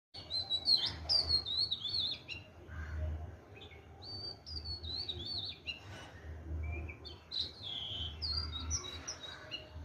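Oriental magpie-robin singing a varied run of clear, high whistles and sweet slurred phrases, some rising, some falling, with a low rumble beneath.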